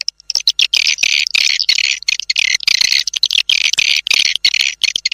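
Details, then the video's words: Lure sound for attracting swiftlets to nest in a house, tested outdoors: an almost continuous stream of high, harsh buzzy chattering broken by short gaps. "TIẾNG CHIM YẾN CHUẨN 2026. ÂM THANH DỤ CHIM YẾN VÀO NHÀ"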